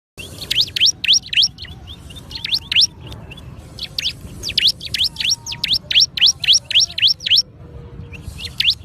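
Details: Bar-winged prinia song: rapid runs of sharp, high, V-shaped upslurred chips, several per second in quick bursts, over a steady low rumbling background.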